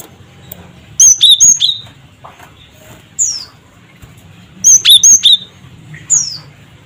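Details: Gelatik batu, the cinereous tit, calling as a lure for other birds: two quick groups of high piercing whistles alternating with slightly lower slurred notes, plus one downslurred whistle between them.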